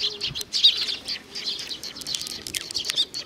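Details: Group of sparrows coming for food at Tenmangu, Nakanoshima, in June 2020: busy overlapping high chirping with a fluttery rustle of wings and light outdoor noise.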